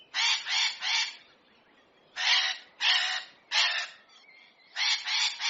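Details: Hyacinth macaw in nature giving grating squawks in clusters, a triple burst, then three separate notes, then another triple burst of raspy calls.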